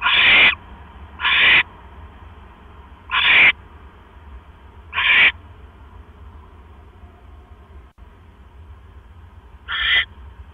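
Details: Owl at the nest with a mouse, night of 12 October 2015 at 9:40 PM. Four quick raspy hisses close together, then a four-second pause before a fifth. A low hum runs underneath.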